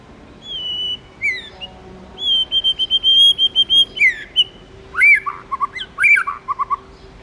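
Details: White-rumped shama song in wild style: a long high whistle, a falling slur, then a fast trilled series of evenly spaced notes, followed by varied warbled phrases, with a faint steady hum beneath.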